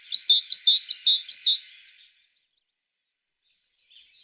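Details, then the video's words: Tit singing: a quick run of bright chirping notes with sharp downslurs over about one and a half seconds, then silence and a few faint high notes at the end. "The sound of a tit singing"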